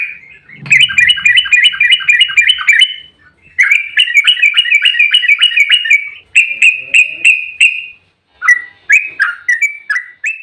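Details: Excited Yellow-vented bulbul giving a rapid ropel fighting song meant to provoke other bulbuls into answering; quick bubbling chatter in long runs, then evenly spaced sharp whistled notes and a few falling chips.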